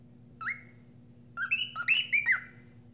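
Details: Cockatiel whistling sweetly: a single rising whistled note, a pause, then a quick run of clear whistles, some slurred upward, over a faint low hum.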